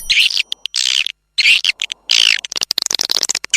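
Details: Swiftlets calling in the rainy season: bursts of buzzy, high chattering twitters, each about half a second long and separated by short gaps, followed by a rapid series of dry clicks and short chirps.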